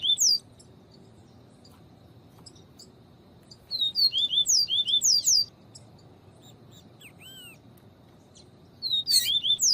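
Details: Double-collared seedeater in viviti song style, with female calls, used to excite and stimulate a male that is not singing; sharp, high, downslurred chirps in rapid bursts at the start, around four to five seconds and at the end, with quiet gaps between.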